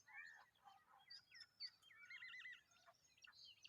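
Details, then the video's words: Familiar chat chick, hungry and begging, gives a busy, scratchy, almost unbroken run of high chirps and short warbled notes for several seconds over faint background hiss. "Familiar chat bird's baby is hungry"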